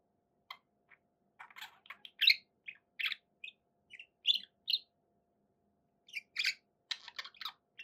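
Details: Pet budgerigars give sparse, separate chirps and short squawky notes, each under half a second, scattered with gaps between them, with a faint steady hum in the background.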